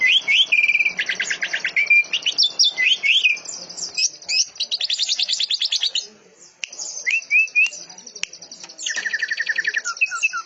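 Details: Greater green leafbird song with canary, cililin and lovebird styles, delivered tight and fast: level whistles, long stretches of rapid buzzy chirping, a brief pause, then further trilled runs.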